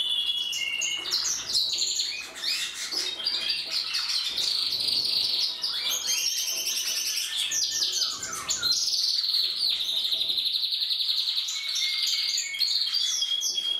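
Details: Several canaries sing nonstop, a bright high warble of rapid trills and rolling tours that shift pitch every second or two, with no other sounds.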